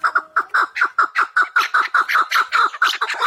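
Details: Wild chukar partridge of the Pamir giving a rapid, steady series of short, harsh chuk notes, about two or three per second, mid-pitched and clear with no other sounds.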